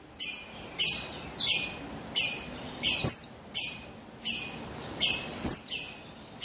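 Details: Repeated bursts of high, sharp, falling twitters from a female buxtoni Javan white-eye, recorded 3/8/21 as a lure to get males singing; phrases come roughly every second with brief pauses.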